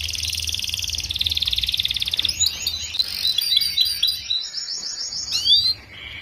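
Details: A young canary sings as tutoring material for young group-kept canaries: a dense buzzy trill gives way to scattered high, sharp chips and twittering slurred notes before fading.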